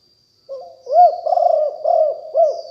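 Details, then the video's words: Spotted dove of the fierce 'Liu Tan' strain, a 2021 decoy recording: a brief mellow phrase that opens with a quiet coo, then four rolling, hooted notes in quick succession. "นกเขาใหญ่คับ หลิ่วตันสายพันธุ์ดุ#9 ครบเครื่องเสียงต่อนกเขาใหญ่2564"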